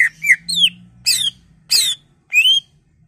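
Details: Greater green leafbird singing to excite other leafbirds, part of a mimicry-filled song: harsh squawky and rising whistled notes spaced about every 0.6 seconds over a faint low hum.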